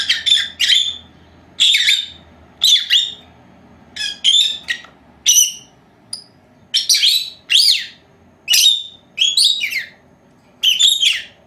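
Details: Two pet female lovebirds aged four months, resting at nap time indoors; a steady stream of bright, rapid chirps in doublets and short runs, nearly continuous, with a low hum beneath.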